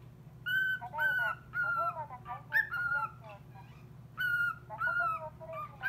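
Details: Cockatiel reacting to a recorded call-centre voice with loud, clear, rich whistles held for about half a second each, grouped in pairs and threes with short pauses, and a constant low hum behind.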